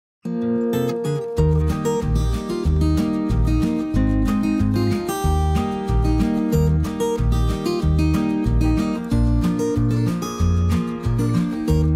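Only music is heard, with steady plucked guitar-like notes and a pulsing bass line and no animal sounds.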